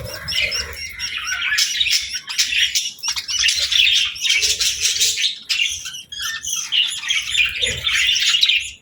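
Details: Evening feeding time for a flock of budgerigars with seeds and millet grass: constant high chattering and warbled chirps, occasional squawks, and brief wing rustles.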